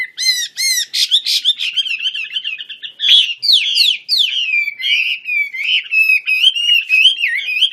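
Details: Energetic Chinese hwamei, Wambi Kembang type, spreading its wings as it sings: loud, varied whistles with sweeping slurs and warbled runs delivered almost without pause, bright and melodious throughout.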